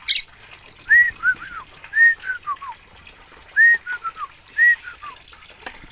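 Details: Oriental magpie-robin from Aceh, Indonesia, repeating a short phrase: a loud whistled note followed by two or three softer notes dropping in pitch, given four times.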